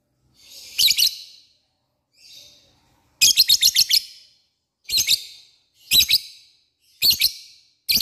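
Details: Lovebird lure call to draw out rivals: irregular bursts of harsh, high chirps, one a quick run of five stuttered notes, separated by short silences.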